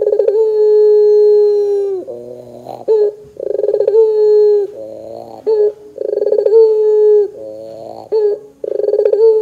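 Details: Repeated pelung-style coos of a Barbary dove, played to lure doves into song: four long level hums, each about one and a half seconds, separated by low rolling rattles and short sharp notes.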